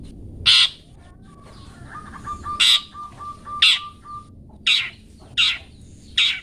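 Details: Long-tailed shrike for pet-bird song training: loud rasping harsh notes in an uneven series, with a soft steady mid-pitched tone running between the second and third notes.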